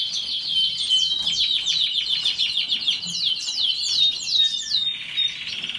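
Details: Canary singing a continuous, high-pitched warbling song of rapid trills and repeated down-slurred whistled notes, running without pause through the whole stretch, with a sustained buzzy trill near the end; no other sounds stand out.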